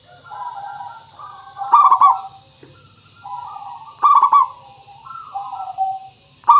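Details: Local zebra dove singing clearly as a lure to draw answers: alternating soft low warbling coos and loud stuttering rolled notes, roughly every two and a half seconds, over constant faint hiss.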